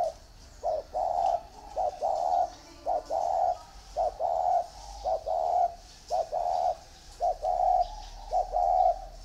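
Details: Spotted doves kept in two cages, a round bamboo one and an iron one, cooing steadily: paired mid-pitched hoots, a short note then a longer one, repeated about once a second in an even rhythm.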